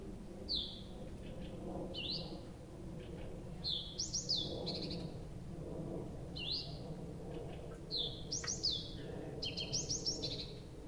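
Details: Nocturnal nightingale song in Abramtsevo, early June, taped from 23:00 on 6 June 2021: varied phrases of upswept whistles, quick clicks and short rattling bursts, separated by brief pauses, with low-pitched background murmur.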